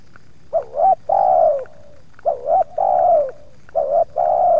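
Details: Spotted dove calling at wild doves that approach its yard, repeating a three-part coo about once a second: two short notes and a drawn, falling coo, with the last phrase cut short.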